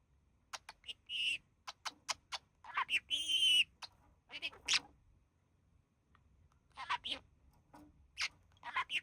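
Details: One of a relaxing pair of budgerigars, the male mimicking human speech: sharp isolated clicks, a short harsh nasal squawk, brief chirps, then silence before more clicks and squeaky notes.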